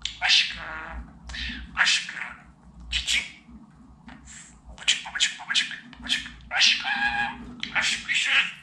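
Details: A pet budgerigar chattering in imitation of human speech: dense, hissy, high syllables in phrase-like groups separated by short pauses, with faint room noise.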